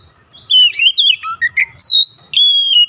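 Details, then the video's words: Magpie robin in full song, a caged bird: rich whistled notes sliding up and down, quick varied phrases ending in a long bright high whistle. "Kacer langsung on buka paruh gacor"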